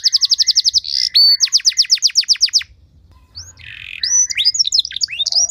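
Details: Canary song used as a training lure to prompt other canaries to sing: fast runs of high descending notes at about eight per second, a sustained whistle, a brief pause, then varied upswept chirps and trills.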